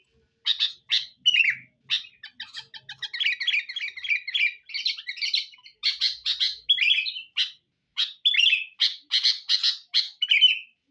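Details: Sooty-headed bulbul singing for luring birds: a string of crisp separate chirps, then rapid bubbling slurred phrases, then more spaced emphatic notes and rolling whistled figures, all bright and high.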